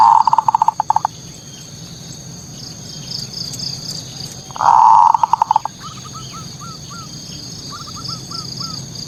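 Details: Zebra dove manggung song meant to stir local perkutut into rivalry: two bursts of a rolling, purring trill that breaks into quick pulses, with fainter hooked cooing notes from another dove between them. A steady high hum runs underneath.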